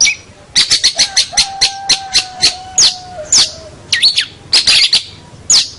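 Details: Champion local long-tailed shrike singing a tutor song. It gives a fast string of sharp chattering notes, then looping whistled phrases, over a thin steady tone.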